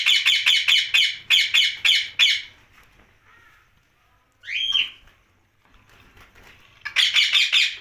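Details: Rose-ringed parakeet at night: a rapid series of eight sharp, grating squawks, then near silence broken by one rising screechy note, before another fast burst of harsh squawks.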